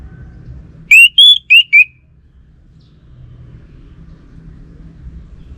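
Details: Orange-headed thrush, a caged bird in Singaraja, North Bali, giving a quick burst of four loud, pure whistled notes within one second, the second higher and longer, then quiet low hum.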